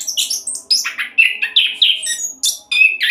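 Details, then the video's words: Fast 'roll' song of an orange-headed thrush, used to coax other birds into song. Tightly packed chirps and buzzy slurred phrases alternate with piercing high whistles in quick succession. "Anis Kembang Roll Cocok buat Pancingan agar cepat bunyi"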